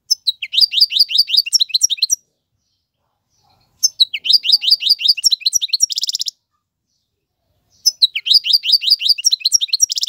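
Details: Male European goldfinch song for teaching fledglings: three similar bouts of rapid rising-falling chirps, about two seconds each, some ending in a buzzy trill, separated by silences.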